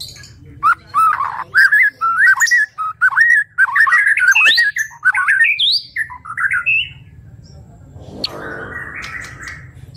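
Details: White-rumped shama song for training songbirds: loud wavering whistles and warbles in bursts, then quieter after eight seconds, when a softer buzzy background sound takes over.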